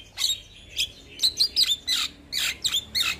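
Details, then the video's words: A young Javan myna in full song chatters a fast run of harsh, scratchy notes and squawky whistles, about three a second, with no other clear sounds. "Jalak Kebo Muda Gacor"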